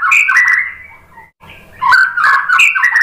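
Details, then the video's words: White-rumped shama song to encourage other shamas to sing, with rich warbled, slurred whistles in two dense bursts separated by a brief gap. "suara MURAI BATU Untuk Memancing BUNYI biar ikut GACOR NGEPLONG"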